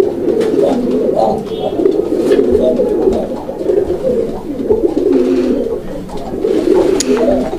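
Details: A pair of desi Bombai pigeons kept at a farm in Kashimpur, Gazipur, cooing in a small room: low, throaty, rolling coos repeated almost continuously, with faint rustling in the background.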